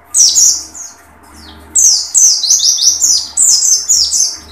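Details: Oriental white-eye singing in the dakun style with open beak: short bursts of high, thin, rapid twittering notes, one burst then a longer run of slurred chirps after a pause, with a low steady hum beneath.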